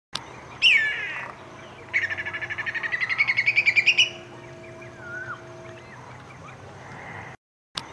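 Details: A whistling kite in Australia gives a brief slurred whistle, then a quick run of about sixteen staccato notes that climb steadily in pitch, over faint background hum.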